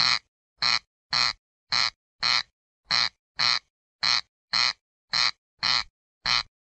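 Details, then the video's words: Rasping corncrake call: a steady series of twelve dry, grating notes at about one per half second, with nothing else audible. "صوت مرعه الغيط Cerx cerx sound"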